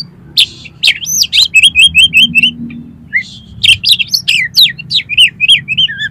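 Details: Oriental magpie-robin in full vigorous song, used as a lure to set competition birds singing: sharp whistled notes and slurred phrases, then a fast run of five repeated downslurred chips, more varied whistles and buzzy trills after a brief pause.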